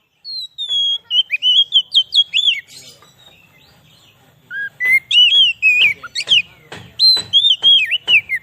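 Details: Oriental magpie-robin (kacer) song, used for luring wild birds and rousing magpie-robins, with long strings of sweet, slurred whistles mixed with sharp ticking notes and a brief quiet gap midway.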